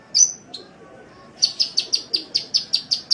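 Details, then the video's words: Sunbird on a masteran training track: a sharp high whistle and a lone chip, a short pause, then a steady run of about ten evenly spaced high chips. "Masteran Suara Kolibri"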